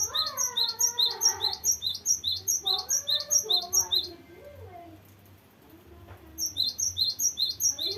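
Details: Energetic cinereous tit delivering a long varied rolling song used as a tutor or lure for young birds. Bright high notes run rapidly, pause for about two seconds, then resume. Lower wavering whistles sound through the gap.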